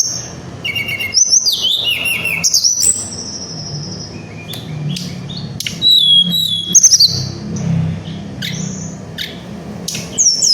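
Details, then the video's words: Little Pied Flycatcher in 'gacor ngerol nembak' song, used to lure flycatchers: bursts of high whistles and quick downslurred trills separated by pauses, scattered sharp notes later; steady low background hum. "Semua Burung Sikatan Pasti Emosi Melihat Dan Mendengar Burung Tledekan Gunung Gacor Ngerol Nembak"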